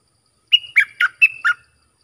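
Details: Song of a bulbul, played for young birds to learn and for luring wild birds: a crisp five-note phrase of alternating long whistles and short, rich falling warbles, delivered briskly once against silence.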